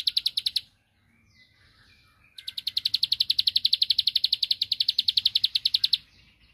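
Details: Bar-winged prinia provoking a rival with song: a short burst of high sharp notes, a quiet stretch with soft twittering, then a long, fast, regular rattle of clicking notes that stops abruptly.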